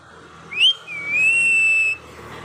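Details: Pet parrot gives a short upward chirp, then one long, steady, pure whistled note lasting about a second, against quiet room noise.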